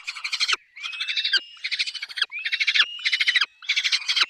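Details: Peregrine falcon at its nest with chicks, giving harsh, rasping calls: six grating bursts in about four seconds, each a rapid stutter of notes, with short pauses between.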